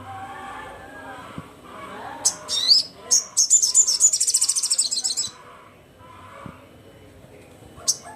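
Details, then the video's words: Loud, rapid, very high chattering from a crimson sunbird calling rivals, a buzzy trill of many fast notes lasting about two seconds, with scattered sharp chips and faint clicks. "SUARA BURUNG SOGON GACOR KERAS, GACOR JUARA"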